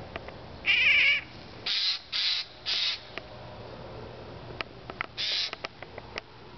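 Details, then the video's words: Eurasian jay early in the morning, mewing like a cat to scare the observer: a drawn-out harsh mew followed by several short rasping, noisy bursts about half a second apart, then scattered faint clicks and snaps. "Mewing jay"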